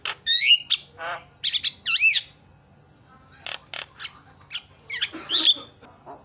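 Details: Javan myna calls used as a lure to make other birds call: scattered harsh squawks and chattering notes with brief whistles, separated by quiet gaps.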